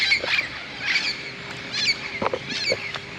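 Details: Tens of parrots in large bamboo beside St. Andrew's Golf Course, Moka, Trinidad, around 5 pm, gathering to roost for the night: harsh, grating squawks in overlapping bursts, roughly one a second, several birds calling over one another.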